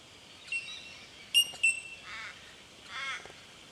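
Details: Bell miner, known by the Aboriginal name jumjum, recorded in Victoria, Australia, in March 2011: sharp high ringing pings at about 1.4 and 1.6 seconds, then softer harsh nasal calls from other birds, over steady background hiss.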